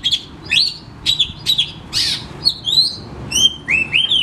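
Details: Oriental magpie-robin in full song, played to prompt lazy caged magpie-robins at home into singing; short clear whistles and upward slurs alternate with one harsh rasping note and bright falling whistles, roughly two phrases per second.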